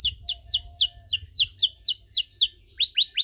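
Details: Long-duration canary cengkok song aimed at provoking other canaries: clear whistled notes sliding steeply downward, repeated about four times a second, with a faint steady hum behind.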